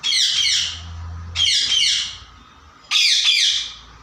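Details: Pet parrot giving three loud, harsh, raspy squawks, each lasting about a second and spaced irregularly, with a faint low hum in the background between the first two.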